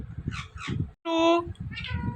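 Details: Talking pet Indian ringneck parrot utters one strong, nasal, evenly pitched word of about a third of a second between a person's repeated spoken words, followed by a softer falling syllable.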